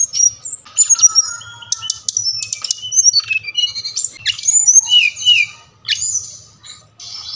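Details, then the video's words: Brown-chested jungle flycatcher, played as a lure for captive birds to sing; scratchy high notes, sharp vertical clicks and short slurred whistles in uneven bursts with brief gaps, low hum beneath. "Sikatan Rimba Dada Coklat | putar ini pasti SRDC anda ngamuk gacor dengan suara ini"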